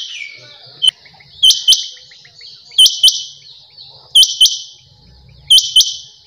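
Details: Quail, called chinga batair, giving sharp, high, paired chirps about every 1.3 seconds, each pair a quick double note, over a steady high hiss, with faint low background sounds.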